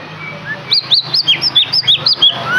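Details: White-rumped shama song played as a lure to get a captive bird singing in full voice: a quick run of about eight bright, high whistled notes, each slurred up or down, spaced roughly every quarter second.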